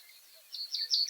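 A common reed bunting gives a brief fragment of song: three or four high, thin notes in quick succession, each a little louder than the last, after a quiet start.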